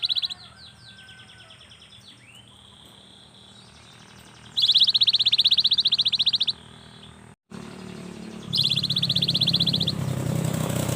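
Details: Cinereous tit, a young bird in full song used as a lure to get lazy birds singing: two bursts of dense buzzy, rattling notes lasting about two seconds each, with faint earlier chirps and a low background hum.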